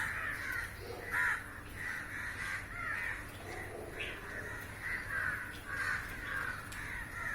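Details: A large flock of crows lined up on a roof, feeding on flying insects, gives harsh, hoarse caws that overlap almost without pause over a steady low hum.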